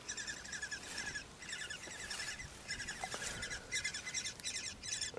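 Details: Woodpecker nestlings at a nest in a forest in Styria, Austria, being fed by their mother, give a high, buzzy, rapidly repeated chatter in bursts of about a second, rising and falling. Faint background noise throughout.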